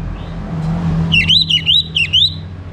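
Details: Orange-headed thrush singing in the morning, used to stimulate birds to sing: three loud, wavering whistled phrases in quick succession over a steady low rumble of traffic.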